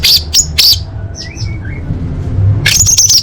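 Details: Female orange-headed thrush calling males, a lure for birds that have gone quiet: short harsh high chirps at the start, a few soft whistled notes in a pause, then a dense buzzy chattering burst, over low hum.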